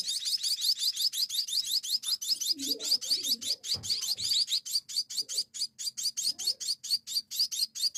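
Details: Hungry munia chicks at feeding time, pouring out an unbroken series of shrill, high chirps at a steady quick pace, with brief soft clatter in the middle.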